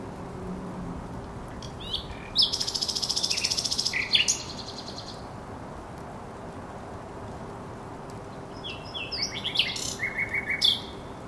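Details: Thrush nightingale on the Żerań Canal, 24 April 2022, delivering a fast rattling trill of repeated notes, a quiet pause of several seconds, then a burst of mixed chirps and a short repeated whistle.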